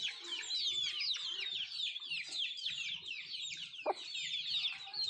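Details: Country fowl at their food: continuous high-pitched cheeping, each note falling in pitch, calls crowding together, with quiet low rustling underneath and one sharp tap.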